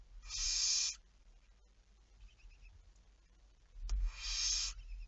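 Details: Two raspy hissing screeches of a barn owl, recorded 11 May 2019 at 23:34, separated by about three seconds, with a soft click just before the second.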